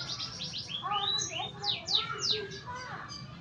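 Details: Canary learning to sing, delivering a varied warbling phrase: fast repeated chips, then clear whistled notes at mixed pitches and several loud, steeply falling sweeps near the end. Faint background hum.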